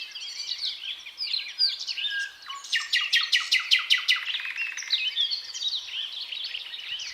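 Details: Song of a thrush nightingale recorded 8 May 2022 during a siren: sweeping whistled notes, then a loud clicking rattle of rapid, evenly spaced pulses and a lower buzzy trill, followed by softer twittering phrases.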